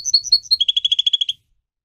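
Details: Brief canary song phrase: a few loud whistled notes followed by a quick run of about ten repeated chirps, then silence.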